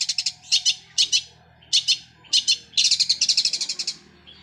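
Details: Long-tailed shrike singing in a sparrow-like voice, its roll compared to a sewing machine: short clusters of sharp, high chirps, then a longer rapid rattle of notes run closely together.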